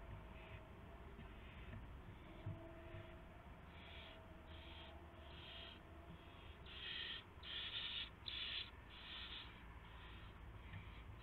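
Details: Owl at the nest in the small hours of 24 March 2016, with a gopher delivered as prey; a series of rasping, breathy hisses grows louder toward the middle, backed by a low mechanical hum.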